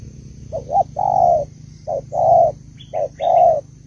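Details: Malaysian spotted dove female calling to stimulate the male: three phrases, each a short coo followed by a longer steady coo, with faint higher bird chirps behind and a quiet low hum.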